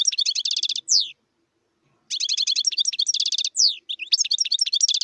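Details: Wild European goldfinch in a lively, high tinkling twitter of fast repeated notes, each burst ending in a drawn-out downward-slurred note, with a short pause before the twittering starts again.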